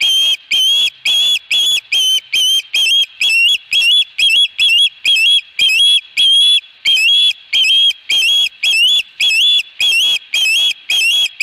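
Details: Long unbroken series of sharp, slightly wavering whistles from an Osprey holding a fish at its Dunrovin Ranch nest on 22 August 2020, about two notes per second for over ten seconds.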